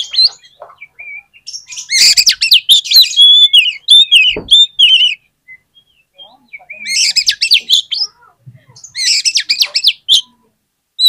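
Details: Oriental magpie-robin song used as a lure to provoke other magpie-robins into singing. Three loud bursts of rapid, varied phrases mix shrill whistles with harsh, scratchy chatter, separated by short quiet pauses with a few soft notes.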